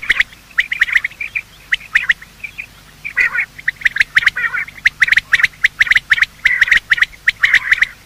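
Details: Morning calls of male and female quail, played to attract quail for hunting: dense, chattering chirps repeated in rapid runs, mixed with crisp clicks, one short pause, then steady overlapping bursts to the end.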